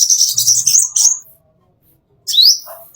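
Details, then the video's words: Plain-throated sunbird master song for training caged birds: a quick high twittering burst, a pause, then a single sharp rising upslur. "masteran konin isian mewah"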